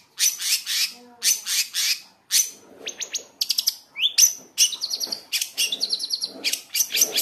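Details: Lure song of a long-tailed shrike, meant to excite caged birds into singing and to teach juveniles a varied song: loud, scratchy, high-pitched bursts mixed with clear whistled notes, rising slurs and quick trill-like phrases.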